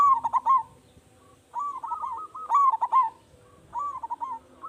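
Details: Loud local zebra dove serving as a lure to set other doves calling: a mellow coo phrase, a pause, then a run of connected rolling coos, with a level trilled note joining them.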